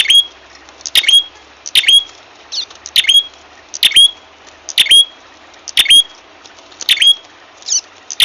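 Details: Lure call of the ashy tailorbird for trapping birds: a steady series of about eight piercing high notes, each with a brief upward-flicked whistle, repeated roughly every nine tenths of a second.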